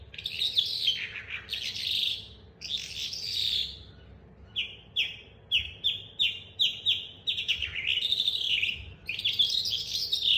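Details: Young caged calandra lark learning to roll its song: dense buzzy warbled phrases, then a series of sharp, evenly spaced descending chirps in the middle, before rich warbling resumes at the end.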